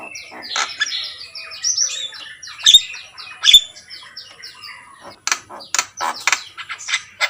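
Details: Javan myna, called jalak kebo, singing energetically: rapid rasping chatter and whistled phrases, a couple of sharp clicks near the middle, then a run of loud, abrupt squawky notes repeated irregularly toward the end.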